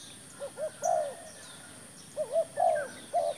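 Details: Decoy spotted dove brought out for trapping wild doves, cooing in repeated phrases: quick wavering notes leading into a longer, louder arched coo, then a fresh phrase starting; thin high chirps of other birds behind.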